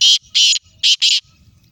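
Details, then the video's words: Black francolin (kala teetar) calling in Sindh, Pakistan: four loud, harsh, grating notes in two pairs within about 1.2 seconds, each note buzzy and broad, with faint low rumbling noise between them. "kala teetar"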